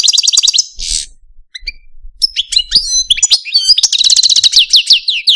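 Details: Pet male Algerian Parva goldfinch in a cage, delivering a fast trill, a harsh buzzy note, scattered sharp chirps, then a rolling run of bright repeated notes with rising and falling slurs.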